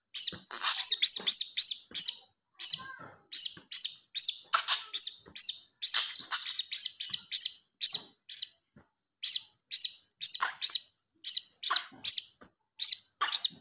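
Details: Blue-crowned hanging parrot chick begging, a lure sound: long run of shrill, high-pitched tweets, quick and somewhat irregular, with short pauses and a few harsher, noisier bursts among the thin piping notes.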